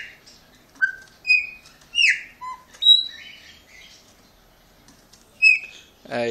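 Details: Pet Chopi blackbird in Brazil greeting its owner with a varied whistled phrase: short rising and falling notes, a low brief whistle, a pause, then one more clear note and a burst of broad noise at the end.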